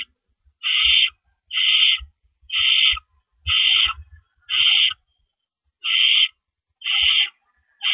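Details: Owls nesting, April 4, 2012, before dawn, as adults deliver rabbits; a steady train of short rasping hisses about every second, eight in all, with low bumping sounds underneath.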